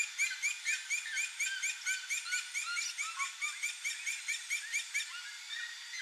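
A pair of red-legged seriemas yelp together in a loud, steady run of high, barking notes, about two each second, overlapping into a ringing chorus.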